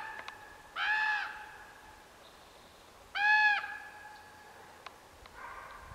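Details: Juvenile Common Ravens near Cold Springs campground on FR 1012, July 5 2014, give harsh, nasal, drawn-out calls about two seconds apart, with a fainter third call trailing off at the end.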